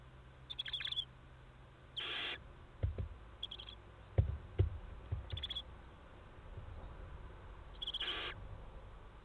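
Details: Six young barn owls in a nest box at Théding, France, on 3 July 2023, jumping and wing-flapping. Two short, harsh hissing bursts several seconds apart, with intermittent high insect chirps and knocking, scuffling thuds from movement in the box.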